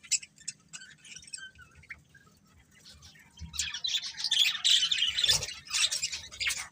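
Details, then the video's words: Budgerigars giving a few sparse high chirps at first, then swelling into loud, harsh chattering and squawky warbling in the second half. "Cute Budgies Chirping Sounds"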